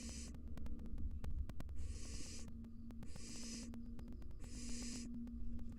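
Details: Wild barn owls in a monitored nest box, a mother and fledgling fighting: three harsh, hissing screeches about a second long, spaced by short gaps, over a steady low hum and scattered sharp clicks.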